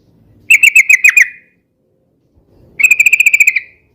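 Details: Yellow-vented bulbul song, a noisy, rapid and long song used for luring and tutoring birds: two bursts of quick, evenly spaced bright notes on a steady pitch, each lasting under a second, separated by silence.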